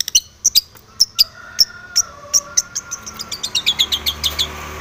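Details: Long-tailed shrike seeking a rival, giving sharp high clipped calls that start well spaced and then quicken into a rapid run toward the end.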